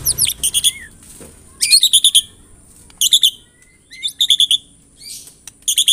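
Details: White-rumped shama song used to provoke singing: clusters of quick, high, metallic stuttered notes in short bursts with brief pauses, mixed with a few low slurred whistles.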